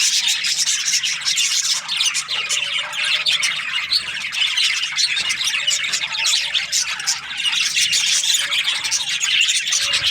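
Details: Breeding pairs of budgerigars in an aviary keep up ten seconds of steady, high chatter, a mix of scratchy squawks and quick warbling chirps with no break.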